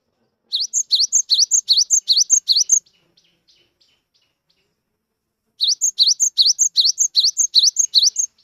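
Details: Cinereous tit, wild-caught but a keen singer, played so that silent birds join in. Two long, tightly rhythmic bursts of fast repeated high two-note phrases, each over two seconds, separated by a pause with a few faint ticks.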